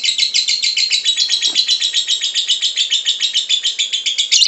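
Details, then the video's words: Lovebird song to encourage lovebirds to sing: dense, loud, continuous chatter of rasping pulses at around eight per second, sustained without a break. "MANTAB SUARA BURUNG LOVEBIRD, PASTI BUNYI MENDENGAR VIDEO INI.. LOVEBIRD SINGING"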